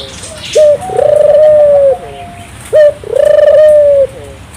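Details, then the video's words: Turtle dove (burung puter), a keen singer used to prompt local doves to sing, giving two coos: a short sharp note followed by a long, smooth, steady coo, repeated after about two seconds. "suara burung puter gacor, merangsang burung puter lokal ikut gacor"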